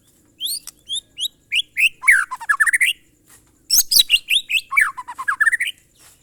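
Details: White-rumped shama singing a monotonous song style known locally as glondong: high whistled notes, then a run of rapid falling slurred notes, repeated in two bursts.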